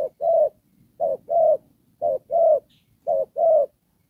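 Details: Spotted dove decoy bird used for trapping, cooing in the đồng pha style with rước and kèm phrases: three low, hollow two-part coos, a short note then a longer one, about one per second.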